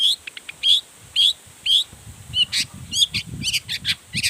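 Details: Long-tailed shrike in full, emotional song, showing off its repertoire to stir other shrikes to reply: bright high chirps repeated quickly, giving way to harsher, denser notes over a low rumbling background.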